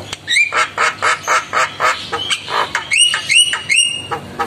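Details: Javan myna, said to be in full song and answering other mynas, giving a fast series of harsh, grating notes about three per second, then several clear rising whistles near the end.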